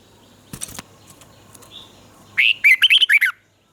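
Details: Red-whiskered bulbul from Thailand, a caged bird whose southern-style song is used to stimulate and train others: soft clicks and rustles first, then one loud, quick phrase of looping, fluty whistled notes near the end.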